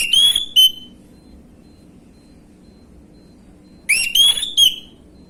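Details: Orange-headed thrush, gamblingan lure material: a sharp rising whistled phrase with a short tail note, silence for about three seconds, then the phrase repeated twice in quick succession.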